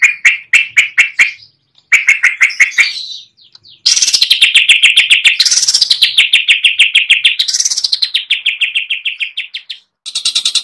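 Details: Varied song from the greater green leafbird, or cucak ijo, for training other birds, full 'ngeplong' fill: fast rattling trills, then a long buzzy trill that wavers in pitch, ending in a bright burst.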